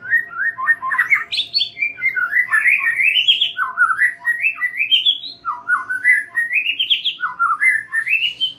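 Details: White-rumped shama, lure song for young birds from the forest: repeated phrases of rich whistles climbing steeply upward in stepped runs, about every one to two seconds, continuous throughout.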